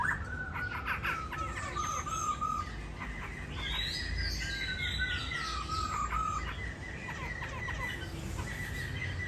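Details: Laughingthrush kept in a cage in Hà Nội, praised for a good voice and dancing aptitude, sings a run of whistled, slurred phrases with level and gently falling notes against constant background noise.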